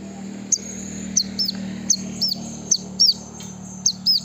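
A brown-throated sunbird gives thin, high, sharp chirps, often in quick doublets, about one every half second, over a steady low hum.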